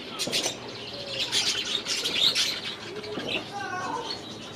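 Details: Aviary budgerigars produce a lively mix of warbles, whistled slurs and squawky chirps, several birds overlapping, with a few clearer falling whistles near the end.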